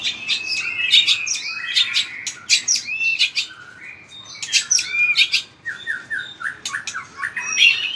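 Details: A caged white-rumped shama performs a combative song with vigorous tail-flicking, mixing sharp clicking notes, bright whistles and quick falling slurs in rapid, uneven bursts.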